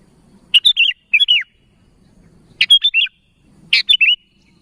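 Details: Bubbly, slightly descending call phrases from a sooty-headed bulbul calling to others, three groups of quick notes about every one and a half seconds, low background hum.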